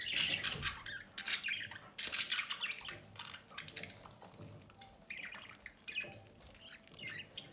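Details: Budgerigar parents at the nest door feeding a chick: continuous busy, raspy chattering and squeaky chirps, loudest in the first half, then a softer, broken stream of scratchy notes with brief pauses.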